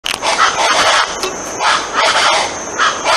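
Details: Colombian chachalaca, an endemic wild bird whose loud, clamorous call gives it the local name guacharaca, producing harsh raucous rattling bursts in repeated loud chorus-like phrases, with a constant high hiss.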